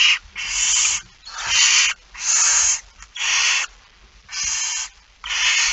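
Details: Barn owl begging during feeding, It Fryske Gea, 13 September 2019 at 06:57; broad breathy hissing screeches of under a second each, repeated steadily with short pauses, over light bumping noises.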